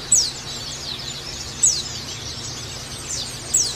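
A white-eye gives brief, very high, thin descending chirps, spaced about every one and a half seconds, over a soft hiss.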